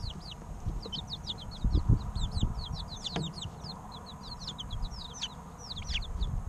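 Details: Lively three-week-old chicks, a rapid string of high falling chirps from several birds, roughly three or four a second, plus faint scratchy knocks and a low background hum.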